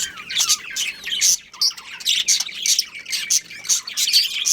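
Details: Pet budgie pair calling in quick high chirps and sharp squawky notes, roughly three to four bursts a second, with a short pause near the start.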